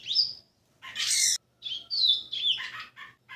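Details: A six-month-old Rusty-collared Seedeater, kept in a training cage, sings its first Tui Tui notes: a jumbled run of high whistles, buzzy bursts and slurred chirps, broken by short pauses.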